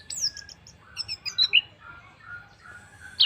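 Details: Orange-headed thrush song played to set other birds singing: a mix of high thin notes, short whistles and a bright slurred note, with a sharp high call at the end.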